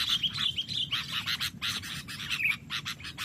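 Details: Fighting birds: a dense, continuous stream of harsh, scratchy chatter and short squeaky notes, fast and irregular throughout, with steady low background noise.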